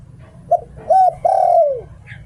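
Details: Low mellow "liu tan" song of a spotted dove used as a decoy: a short coo, a held coo, and a long downward-gliding coo, then a brief faint higher chirp.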